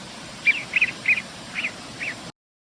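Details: Ducks calling: a series of five short, nasal quack-like notes spaced about half a second apart, fading toward the end, over steady background noise.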